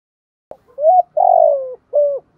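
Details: Decoy spotted dove calling to draw in wild birds, giving one complete cooing phrase: a sharp onset, a rising hoot, a long rolling falling coo, then a short final note, in clean quiet surroundings.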